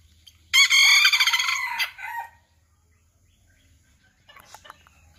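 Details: Serama chicken crowing: a loud, harsh, shrill crow of about 1.7 seconds that ends in a falling tail, followed by quiet and a few soft clucks.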